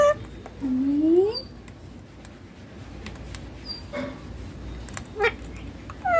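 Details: Green Indian ringneck parakeet kept as a pet and taught to say papa and mummy; one clear rising tonal phrase early, then short high chirps and faint clicks indoors.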